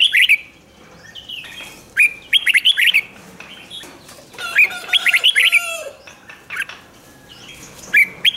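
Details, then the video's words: A red-whiskered bulbul's doubled 'ริก' song for exciting caged birds: repeated lively phrases of quick slurred whistles tumble out every second or two, overlapping with answering chirps and short whistles. "เสียงนกกรงหัวจุก ร้อง ริก เปิดให้นกฟัง ยั่วให้นกคึกจัด chao mao"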